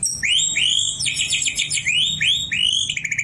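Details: Caged oriental magpie-robin imitating white-rumped shama song learned as a youngster kept near a shama; rapid series of rising whistled sweeps alternating with buzzy trills and a fast rattling ending.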